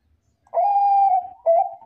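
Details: Song of a Bangkok zebra dove, played as a lure to draw replies from other zebra doves. A long, level, hollow coo is followed by a shorter coo at the same pitch, and a third note begins at the end. There is no background sound.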